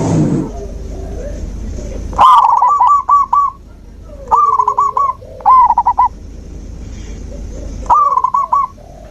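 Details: Zebra dove song played as nature therapy to stimulate a dove that has stopped singing: bursts of quick staccato cooing notes, all at one pitch, separated by pauses of a second or more, over low background hum.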